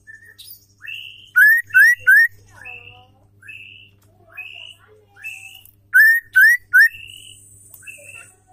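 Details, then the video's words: Female white-rumped shama singing, a song used to stir males into singing and aggression: varied clear whistled phrases, with a quick run of three loud rising whistles heard twice among softer notes, over a steady low hum. "SUARA MURAI BATU BETINA GACOR PENDONGKRAK EMOSI MURAI BATU"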